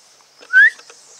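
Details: Red-necked amazon, locally called jaco, observed at a parrot conservation and research centre in Dominica, giving a single short whistled call that sweeps upward, with faint background hiss.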